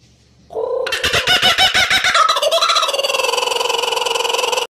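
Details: Kookaburra song called frightening, beginning from near silence with a low hoot, then loud chopped cackling bursts and a fast, even rattling chatter until it stops abruptly.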